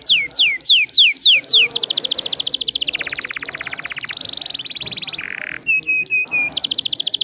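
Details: Rolling canary song played as a lure for other canaries: downward-swept whistles, then fast buzzy rattling trills at several pitches, a brief harsh burst, and short high rising notes.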